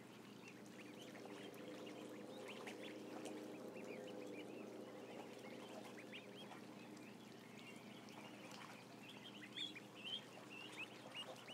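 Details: Around a thousand ducklings on a live camera: a dense, continuous chorus of high, thin peeps overlapping without pause, with a steady low hum underneath.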